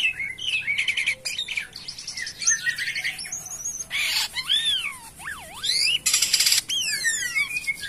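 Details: Jalak kapas myna singing actively, a lively mix of rising and falling whistled swoops, rapid chattering trills and harsh rasping bursts, each phrase different from the last.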